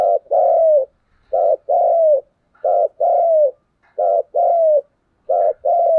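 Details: A spotted dove decoy sings a vigorous, tense 'thúc gù' driving coo, repeating the same low two-part phrase five times at a steady pace: a short husky note, then a longer smooth coo sloping downward.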